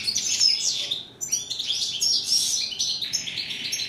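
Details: Dense tinkling song from a European goldfinch, steyla in Moroccan usage: quick bright chirps and slurred twitters with one brief break near the middle.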